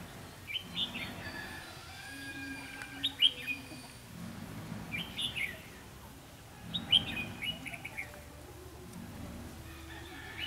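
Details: Red-whiskered bulbul used as a decoy in a trap, singing competitively to lure wild birds, recorded 4 November 2016 in Vietnam; short bright whistled phrases repeated about every three seconds over low background rumble.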